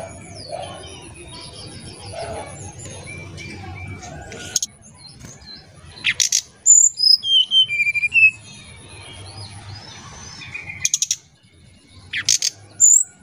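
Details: Oriental magpie-robin singing; after a noisy murmuring start, a run of sharp high whistled notes, slurred downward and upward, delivered in quick succession, with bursts of broadband clicks and a faint steady high tone throughout.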